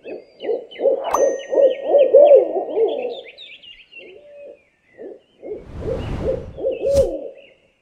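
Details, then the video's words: Owl calling in a rapid series of low, hollow hoots, then a pause and a few more hoots; thin high chirping notes above, a brief burst of noise near the end. "SOM DE CORUJAS - DIVERSAS E INCRÍVEIS CORUJAS - OWL SOUND - CANTO DAS CORUJAS"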